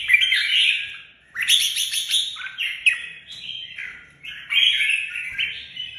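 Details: Caged Red-whiskered bulbul gives a continuous chattering, warbling song, lively whistled notes jumping up and down with brief rattled bursts, nearly unbroken over six seconds.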